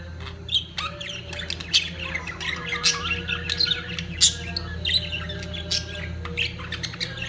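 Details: Budgerigars at the height of mating keep up a steady stream of scratchy chirps, clicks and squawks, with several louder peaks, over a low droning hum.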